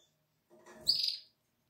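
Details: Atlantic canary chick, seven days old, in the nest on 12 April 2022: a single short, thin high-pitched peep after a soft rustle.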